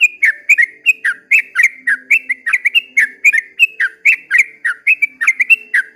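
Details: Trucukan, the yellow-vented bulbul, at daybreak giving a long ropel panjang song: quick chains of rich, slurred whistles that dip and rise, repeated in a lively, slightly uneven rhythm.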